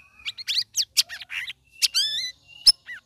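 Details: Ngeriwik ngeplong singing from a caged sooty-headed bulbul after three weeks of ombyokan training: dense run of quick chirps, twitters and slurred whistles, with one falling whistled phrase and a hard click near the end.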